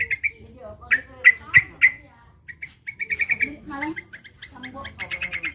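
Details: Yellow-vented bulbul under threat, calling in short sharp chirps, first spaced singly, then strung into rapid repeated runs, with a brief lower twittering phrase between bursts; background otherwise quiet.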